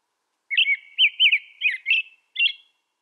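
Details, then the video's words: Six short, slurred whistles from an American robin at a steady pace of about one and a half per second. The last phrase is higher and buzzier. No background noise. "American Robin Sound"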